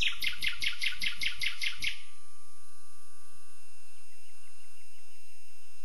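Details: A common nightingale delivers a loud, rapid string of about eight identical piping notes over two seconds. Near silence follows, with only faint distant chirps.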